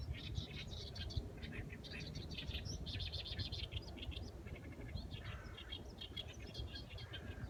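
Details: Busy mix of high chirps and brief twittered phrases from several birds, nearly continuous, set against a persistent low rumbling background noise.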